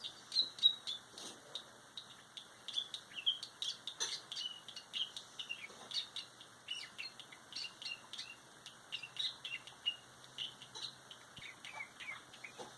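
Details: Budgerigars in a quiet mode chatter softly with quick, scratchy chirps and warbles, rising and falling without a set rhythm.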